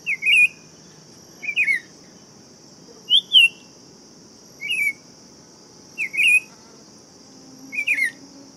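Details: Buff-throated saltator delivering six short slurred whistled phrases about every 1.5 seconds, each a brief rising-falling warble varying slightly in pitch, with a constant high insect-like hum throughout.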